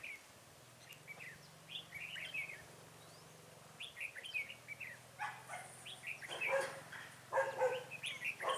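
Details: Red-whiskered bulbul decoy bird singing to lure wild bulbuls into a trap, 23 October 2017: bursts of short, bright chirped and whistled notes in quick clusters, growing busier toward the end, over a steady low hum.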